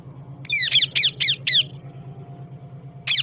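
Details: Parrot, with birds drinking water, giving a run of five rasping, descending squawks close together, then a single further squawk after a pause, with a constant low hum in the background.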